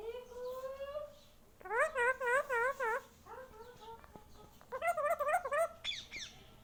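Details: Pet Indian ringneck parrot in a small room, taught to say mummy papa: a long rising nasal note, then a quick wavering series of warbled syllables, a short pause, and another rapid burst of wobbling, speech-like notes.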